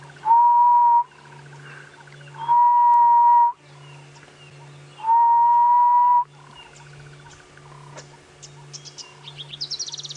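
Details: Grey-headed bush shrike calling repeatedly during a morning safari drive among many birds: three long, mournful whistled hoots, each about a second, slightly rising then level, over a steady engine hum and faint chirps.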